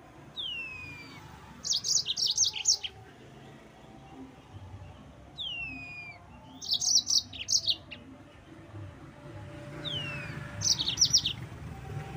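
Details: Yellow-fronted canary song for provoking rival birds, three separate phrases each opening with a falling whistle followed by a short burst of high, buzzy stuttered notes, spaced about four seconds apart.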